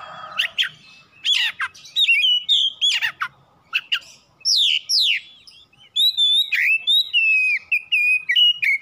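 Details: Oriental magpie-robin kept at home, a lure recording for morning, noon and night meant to make birds sing: bursts of sharp sweeping whistles, chirps and slurred notes, rapid and varied, with brief pauses between phrases.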